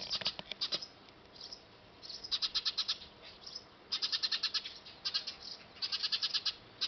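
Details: Recorded with a D5000 camera at a factory-roof nest: Eurasian tree sparrows give rapid trains of high, evenly pulsed chirps lasting about a second each, separated by short silences.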